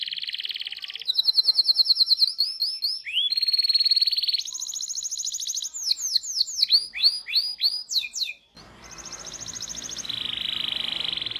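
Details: Long rolling canary song for tutoring young canaries: alternating sustained trills and rapid series of downward-sweeping notes, closing with a steady lower trill.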